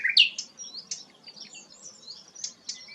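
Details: Brief phrase from a rare sikatan londo: a bright rising chirp to open, then soft scattered high whistles and twittering notes fading off.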